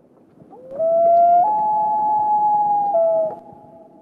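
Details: Common Loon wail on a New Hampshire lake in breeding season: a long, pure, mournful note rising in steps, holding about two seconds, then dropping and fading, over faint hiss; used mainly for long-distance contact between mated pairs.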